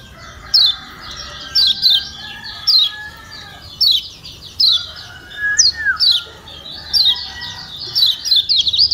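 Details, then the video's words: Yellow white-eye from Lombok, call played to get a silent bird singing: thin high chirps in small clusters at irregular gaps, a brief lower whistled slur midway, busier twittering toward the end. "Ciak Ciak Kecial Kuning Joss Perangsang Ampuh Bikin Kecial Malas Bunyi Jadi Gacor"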